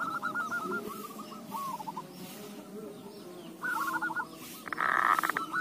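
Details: Zebra dove song used as a lure to prompt other doves, even reluctant ones, to answer: short bursts of quick rolling, quavering coo notes, a pause, then more coos. A loud buzzy burst near the end, over a steady low background hum.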